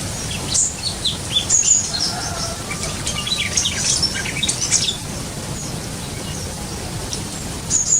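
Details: Sumatran leafbird kept in an aviary; short, high chirps and quick twittering notes come in scattered bursts, some with brief lower whistled strokes, over a constant hiss and low rumble.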